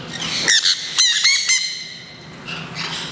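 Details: Green-cheeked parakeets first set free into the turaco and spoonbill plaza at Kakegawa Kachoen bird park, Japan. Loud grating squawks come in a rapid burst of four or five, then a pause and a softer harsh call.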